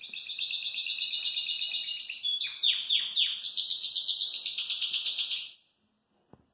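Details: Caged Belgian canary singing cheerfully while hopping in its cage: a dense, continuous rolling trill of high notes, shifting to rapid descending sweeps midway, then a bright buzzy roll lasting about five seconds before stopping abruptly.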